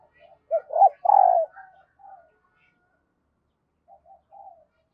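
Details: Spotted dove kept as a decoy, cooing to draw in new wild birds: one loud phrase of two short rising notes and a long buzzy coo, followed by quieter soft coos.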